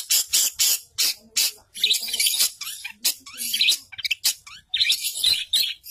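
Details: Long-tailed shrike master song packed with imitations of tree sparrow, canary, lovebird, sooty-headed bulbul and cililin; loud, scratchy chirps and chattering phrases about once a second, dense and varied.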